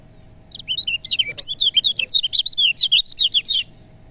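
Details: Lemon-bellied white-eye song for stimulating reluctant birds: a lively high-pitched stream of rapid looping chirps, roughly four notes a second, running for about three seconds, with one faint click partway through.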